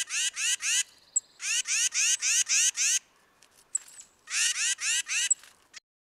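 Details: A Tufted Titmouse in winter woodland gives its raspy, argument-like "fighting call": harsh, high notes in rapid bursts of three to six, each burst separated by a short pause.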